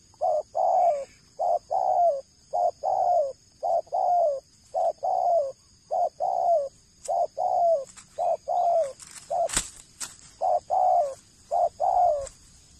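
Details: Captive stud male dove giving a long series of soft, hollow coos in quick doublets and triplets, each note gently falling; a high steady hum runs behind, with a brief sharp click near the middle.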